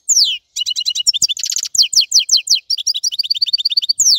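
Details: European goldfinch singing a fast, bright series of high twittering notes and short buzzy trills after an opening downslurred note, with steady rapid rhythm throughout.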